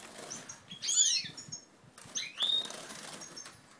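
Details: Goldfinches of a native ancestral strain pairing up in March 2012; two short bright chirping bursts, one with a clear upward whistle, mixed with audible wing flapping and rustling.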